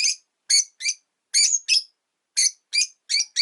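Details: Shrill, piercing chirps from caged rosy-faced lovebirds, five pets kept at a window, come steadily every few tenths of a second, singly and in pairs, throughout.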